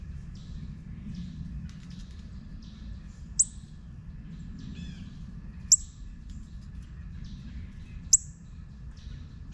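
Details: Juvenile northern cardinal sounding three loud, abrupt, high chips at uneven intervals, with faint twittering from other small birds and a low rumble behind.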